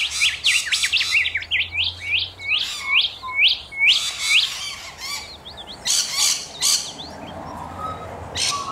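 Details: Rainbow lorikeets in Australia, giving rasping screeches in rapid bursts among a run of swept, upslurred chirps repeated about twice a second, with a faint low hum beneath.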